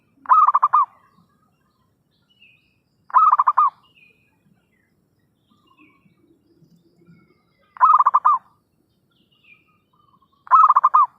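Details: Zebra dove lure call for trapping: four bursts of fast, pulsed cooing at uneven intervals of about two to four seconds, with faint low background sounds between the phrases.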